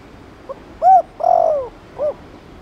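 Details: A spotted dove phrase in the Thổ Đồng style, played to make newly caught doves coo. It begins with a tiny note, then a short coo, a long coo sliding downward and a final brief coo, low, hollow and clear.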